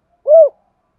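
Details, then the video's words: Spotted dove giving a single short hollow coo, arched in pitch and lasting about a quarter second, in a thúc gù giọng thổ recording. Silence surrounds it. "Tiếng chim cu gáy thúc gù giọng thổ hay"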